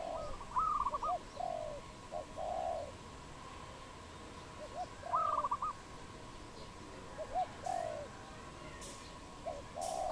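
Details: Wild dove, Cambodia, 22 April 2020: repeated phrases of low rounded coos every few seconds, alternating with a higher quick stuttering whistle from another bird, plus a few sharp clicks late on.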